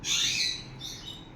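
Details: A pet sun conure playing with other conures gives a harsh, raspy screech lasting about half a second, followed by a fainter scratchy trailing note.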